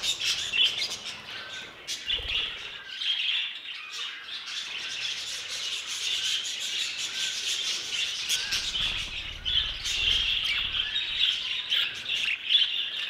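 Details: Many budgerigars in an aviary chattering continuously, high scratchy warbles and chirps in waves of loudness, with brief low thumps in the background.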